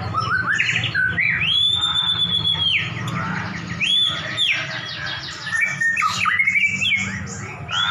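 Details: Two champion white-rumped shamas set against each other in a duel, singing loud, varied whistled phrases with long sustained notes and rapid, rising and falling trills over a steady low hum.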